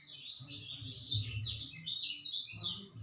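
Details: Kecial kuning white-eye, a recording used as tutor song and for luring birds: rapid, high, twittering warbles in overlapping phrases, with a low rumbling hum underneath.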